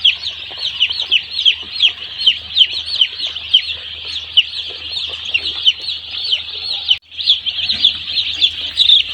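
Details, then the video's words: One-day-old chicks on a poultry farm, a crowd of them peeping nonstop: a dense chorus of high, short, downslurred cheeps overlapping continuously, with a brief gap near seven seconds and a low steady hum beneath. "one day chicks in our poultry farm"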